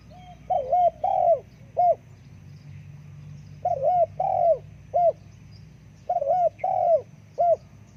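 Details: Spotted dove calling in rhythmic phrases of a wavering double coo, a longer coo and a short final coo, repeated three times, clear over low background hum.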